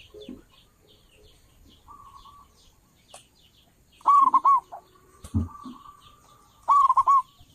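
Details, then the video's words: Big-voiced local zebra dove, used as a lure by dove trappers, sings two loud phrases of quick hooked coos about three seconds apart, amid faint background chirps and a few clicks. "perkutut lokal suara besar cocok buat para pemikat burung perkutut"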